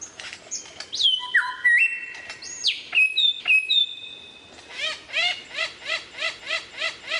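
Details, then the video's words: Lyrebird varying its song: long level whistles that step between pitches and sharp whistled swoops, followed by a steady train of bright, chattering harmonic notes at about three per second. "suara variasi burung lyrebird"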